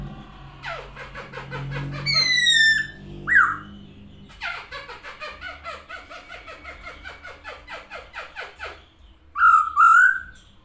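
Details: Masked laughingthrush singing energetically with wings open, mixing long rattling chatter runs with sharp descending whistles and a loud wavering whistled phrase toward the end.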